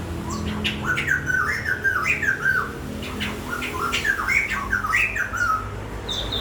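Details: Bird singing continuous warbled phrases of slurred whistles that dip and rise, repeated in rapid bursts throughout, with a faint low hum behind.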